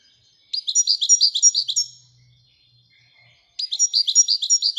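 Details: Two bursts of quick, evenly repeated bright chirps from a European goldfinch, separated by a quiet gap with a faint low hum.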